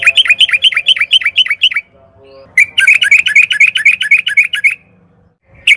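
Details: Sooty-headed bulbul (trucukan), a caged-bird training lure: rapid, rhythmic series of short bubbling notes, about two per second, in two long bursts separated by a brief gap.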